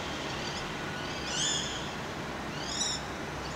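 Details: Male common kestrel in Cairo in spring, calling for his mate near a house wall. Two thin, high arched cries about a second and a half apart, rising then falling, against steady background hum.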